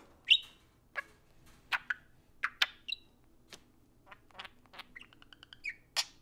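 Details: Two caged pet parakeets interacting during play time, producing busy budgie chatter: scratchy squawks, click-like notes, a quick ticking run of repeated pips and buzzy warbles, ending with a loud harsh squawk.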